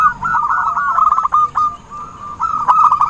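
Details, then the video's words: Zebra dove, recorded as a lure call for trapping birds: a rapid, stuttering run of low cooing notes that breaks off, then resumes in a second burst, with sharp clicks and a faint high whistle behind. "suara burung perkutut buat pancingan || suara pikat perkutut"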